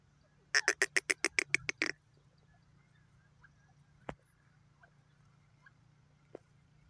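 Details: Grey francolin calling: a fast burst of about ten loud harsh pulses in just over a second, then quiet with a low steady hum and a few faint clicks.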